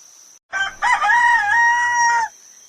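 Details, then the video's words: A rooster gives one loud crow lasting under two seconds: a brief rough opening, then a long sustained, slightly falling note before it cuts off. "the rooster sings at Daybreak"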